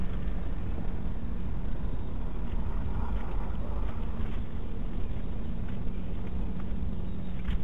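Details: Steady low rumble of wind and engine-like noise fills the recording, with no animal calls heard.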